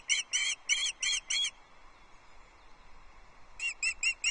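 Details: At a Loch Arkaig osprey nest on 22 June 2024, during a male's fish delivery to chicks: five sharp, whistled, evenly spaced yelps, a pause of about two seconds, then four more quick yelps.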